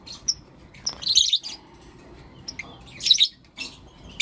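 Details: Blue opaline and lutino opaline lovebirds chirping in the morning, giving sharp, high, squeaky chirps in dense bursts about a second apart, separated by brief quiet gaps.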